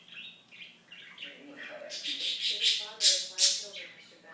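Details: Budgie talking in a soft, rapid warble that builds into louder raspy syllables, ending with two strong harsh bursts close together.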